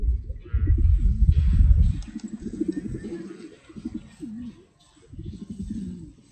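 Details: Pigeons cooing in a series of low, soft, rolling coos in the second half, after a burst of heavy low rumbling noise at the start, with faint background murmur.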